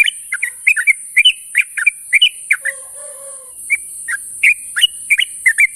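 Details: Morning calls of a sooty-headed bulbul summoning companions. Quick clipped chirps and slurred whistles come in an uneven stream, broken briefly midway by a faint low hum, over a constant high-pitched hiss.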